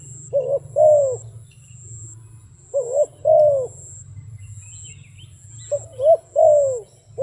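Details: Wild dove cooing in short phrases of two or three hollow, downslurred notes, repeated three times with pauses of about two seconds, over a constant low hum and a thin high-pitched whine.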